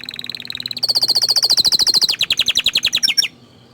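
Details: Orange frost canary song: a soft high note series breaks into a loud rapid trill of clipped pulses that speeds up and drops slightly in pitch before stopping abruptly, leaving quiet background hum.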